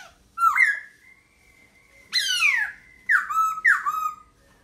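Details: Song of a laughingthrush, mixing rich downslurred whistles with a harsher, broad rasping sweep, then two quick matched whistled notes in succession; a faint steady tone lingers between phrases.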